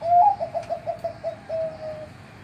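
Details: Captive-bred Zebra Dove (perkutut) in the morning in Yogyakarta, Indonesia, with a thick, big, slightly fast and hollow voice; a low cooing phrase of a long note, a run of quick short coos, then a drawn-out final coo over background hum.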